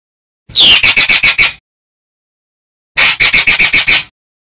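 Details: Drongo singing vigorously, used as a training recording for starlings and laughingthrushes. Two bursts, each of about seven rapid, harsh, buzzy pulsed notes, separated by two seconds of complete silence.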